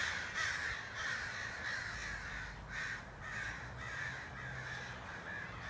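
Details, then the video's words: Large flock of crows heard on an evening walk as they circled and gathered in a tree. The calls form a continuous overlapping chorus of harsh, rasping caws that rise and fall in waves. "Murder of Crows rehearsing Halloween Hitchcock Homage?"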